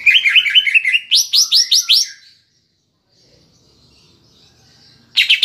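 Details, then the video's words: Kapas tembak-filled song of a caged cucak ijo, played to provoke emotion: a fast series of bright down-slurred notes, then louder spaced chips, a pause, and a fresh burst. "Pancingan Cucak Ijo (Isian Kapas Tembak) Agar Emosi Jamtrok"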